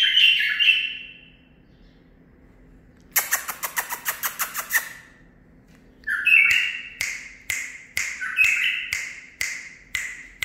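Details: Nine-month-old male bulbul bred in captivity and tutored in learned song phrases. It gives a brief warbled phrase, then a run of rapid loud clicks and a stretch of short sweet notes punctuated by regular sharp taps.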